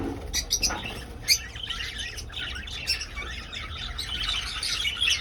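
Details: Budgerigars in an old aviary, quieter here: separate sharp chirps and short squeaky warbles stand out from softer chatter, with a few brief wing-flutter bursts.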